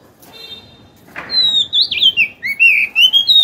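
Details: Oriental magpie-robin, an old wild-caught bird caged two years that sings once hung, giving a clear rising and falling whistled phrase with bright, sliding notes after a soft rustle.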